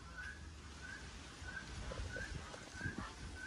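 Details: Common waxbill (Estrilda astrild), a ringed bird among four released together, a flocking species: short, thin whistled notes repeating about every two-thirds of a second, faint over a steady low rumble and scuffling.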